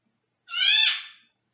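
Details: Senegal parrot kept in a small cage in another room, giving a single harsh, harmonic squawk of under a second that swells and then fades, in an otherwise quiet room.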